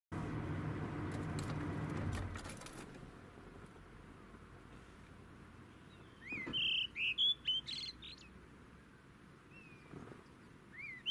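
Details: A Brown-hooded Kingfisher in South Africa gives a quick burst of about five sharp, high piping notes, then two lone notes; a low vehicle rumble opens the recording.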